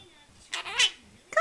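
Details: A pet Monk (Quaker) parakeet talks to its owner, giving short, raspy, speech-like phrases rising and falling in pitch, such as "hi baby", "can I get a kiss" and "tickle tickle"; greeting its owner.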